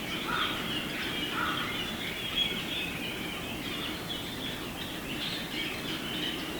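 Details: Around fifty Japanese grosbeaks calling noisily from a bamboo thicket on the edge of a residential area and wooded mountain, Hiroshima, Japan, 10 March 2018; thick steady babble of overlapping chirps and short whistled phrases throughout.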